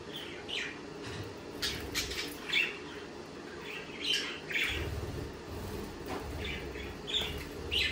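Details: Budgerigars, Australian parakeets, giving scattered chirps and short squawks over a steady low background hum, calls bunched in brief bursts with quieter gaps between.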